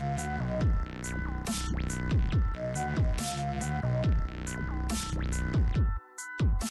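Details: Heavy electronic dance music with deep bass drops and sliding synth sweeps throughout; no bird or other animal voice can be picked out.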